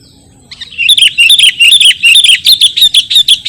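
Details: Sooty-headed bulbul song recorded for luring wild birds and tutoring cage birds: after half a second of quiet, a fast, continuous run of bright chirped and slurred whistles begins, with notes rising and falling and tumbling close together.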